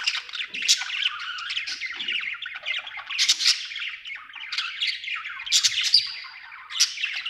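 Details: Happy budgie squawking and chirping nonstop, harsh raspy notes with sharp high squeals punctuating the continuous chatter.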